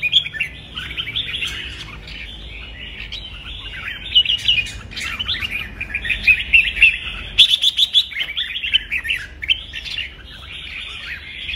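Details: Provoking contest-style song of red-whiskered bulbul, meant to stimulate birds to sing: long run of bright chattering, warbled notes, bursts of quick sharp syllables, louder and more clipped in the second half.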